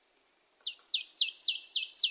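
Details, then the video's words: Marsh tit: a short string of about six high notes that fall steeply, starting softly and growing louder, evenly spaced, against a silent background. "Marsh tit 1h bird sound"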